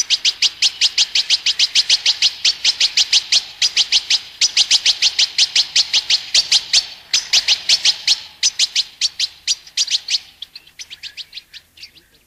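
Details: European goldfinch delivering a long, rapid series of high, scratchy, buzzy notes repeated in steady rows, pausing briefly, then fading into softer, thinner twitters near the end; no other clear sounds.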